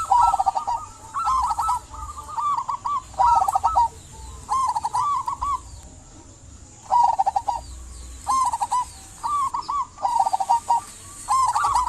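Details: Actively singing local zebra dove, meant to encourage silent doves to sing; repeated rolling, trilled coo phrases in quick succession, a longer pause near the middle, then more bursts, with a soft constant hiss.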